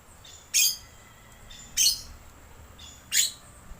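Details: Rainbow lorikeet call played as a bird lure: three strong, harsh rasping screeches, evenly spaced about every one and a quarter seconds, with faint thin tones between them.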